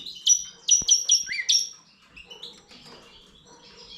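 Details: Goldfinch x canary hybrid giving a few bright, ringing chirps in quick succession, then softer twittering fading out, with a faint background murmur.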